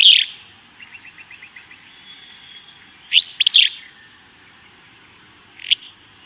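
Willow Flycatcher giving its wheezy, burry, sneeze-like fitz-bew song, repeated a few seconds apart, with faint soft ticking between phrases.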